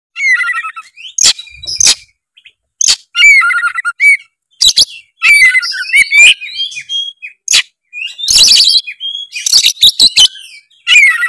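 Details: Oriental magpie-robin in full, vigorous song seeking a rival, used as a lure to make lazy birds sing; varied bursts of whistled phrases and harsh, scratchy notes broken by short pauses, with sharp clicks between.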